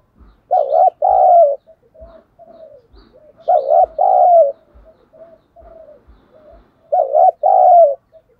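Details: Caged decoy spotted dove in Vietnam, cooing to provoke and lure wild doves, voice style called giọng thổ sấm; three loud, deep two-part coo phrases a few seconds apart, softer drawn-out coos between, with dull low knocks.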